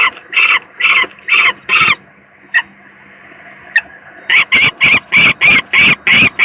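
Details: Sick young peregrine falcon at the Gdynia PGE power plant site in Poland, 18 May 2023; five grating calls, a pause of about two seconds with two short clicks, then eight more rasping cries in brisk succession.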